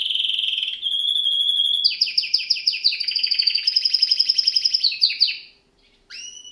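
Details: Canary (Serinus canaria) training song: a steady high trill, then a series of quick descending notes merging into a rapid rolling trill, ending after a short silence with one clear rising note.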